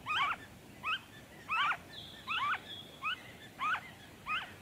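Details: Noisy friarbird recorded in Victoria, Australia, in February 2023: short, harsh, nasal notes with a quick up-and-down inflection, given about one and a half times per second over a steady, hissing background.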